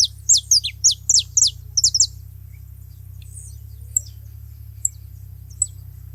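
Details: A saffron finch at a feeding spot begins with a quick series of high, falling, doubled whistled notes, then drops to a few faint, widely spaced chips, with a low hum throughout.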